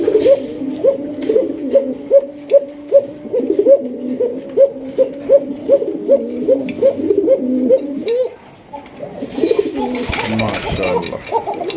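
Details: Koka pigeons, a male newly paired with a female, give loud, very fast rolling coos repeated more than twice a second.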